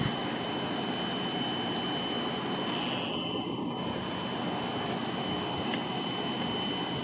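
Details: Steady aircraft or vehicle engine rumble fills the recording, with a constant high electronic whine throughout and no animal voice.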